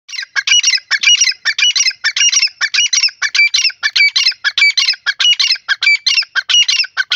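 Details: Black francolin, called sindhi teetar, a male calling in a forest: loud, harsh, rapidly repeated chirping phrases, about ninety-seven bursts a minute, steady and continuous with no other sounds.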